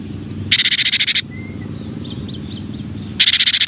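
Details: Cinereous tit, local names gelatik batu and gelatik wingko, giving loud buzzy churring bursts of rapid rasping pulses, with soft high whistles from other birds and steady background noise between.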